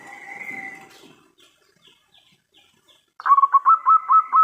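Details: Local zebra dove in terasan style: after a thin, steady whistle and near silence, a fast series of rolling, stuttering coos begins and repeats about every quarter second to the end.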